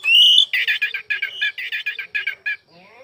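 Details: Oriental magpie-robin in full song, a bright whistled note followed by a rapid run of harsh, buzzy chattering phrases packed closely together, with a soft trailing twitter at the end.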